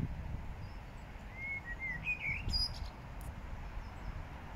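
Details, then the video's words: A song thrush in Regent's Park, London, sings one brief phrase of clear, slurred whistles with a few thin, high squeaky notes, over a steady low rumble of distant traffic. "beautiful Song Thrush sings."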